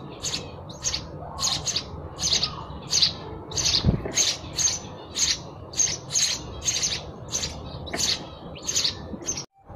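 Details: House sparrow (Passer domesticus) giving bright, sharp chirps, about two each second, in a steady run over a low background hum.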